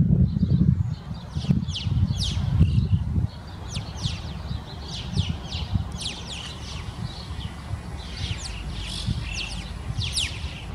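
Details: Large winter flock of Alpine choughs, down from the mountains in a town, gives constant overlapping chatter of thin, high, rising whistled chirps, several a second, over low wind rumble.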